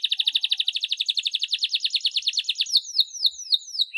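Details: Hard-singing domestic canary, a lure for untrained young canaries: a steady, fast pulsed trill about fifteen notes per second that loosens into quick descending slurred notes.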